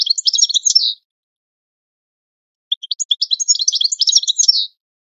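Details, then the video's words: European goldfinch singing a training song: two bursts of rapid, tinkling twittered notes, high-pitched and jangly, separated by nearly two seconds of silence, with no other sounds. "Goldfinch The Best Singing - training song"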